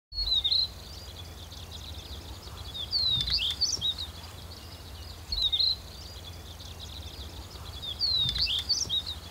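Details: Stonechat calls recorded at Wakka Primeval Flower Garden: short, high chattering calls in brief bursts about every two to three seconds, over a steady low rumble of wind or distant traffic.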